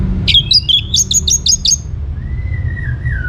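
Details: Orange-headed thrush singing energetically as a lure for other birds: a rapid string of high, sharp chipping notes, then a long, smooth whistle that wavers and slowly falls, over a low background hum.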